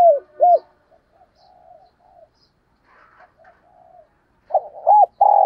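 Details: Decoy spotted dove calling in the morning: a pair of short arched coos, then a stretch of faint low murmuring, before loud coos return, including a hooked note and the start of a long sustained coo.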